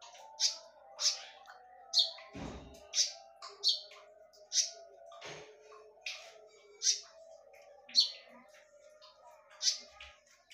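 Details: Sharp, loud konin lure song: a steady run of bright, high explosive notes about twice a second, with a brief knock or thump near the start and faint lower twittering behind.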